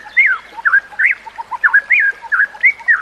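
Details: White-rumped shama song used for training other shamas: melodious looping whistles rising and dipping, interspersed with soft low notes, delivered in a smooth continuous flow.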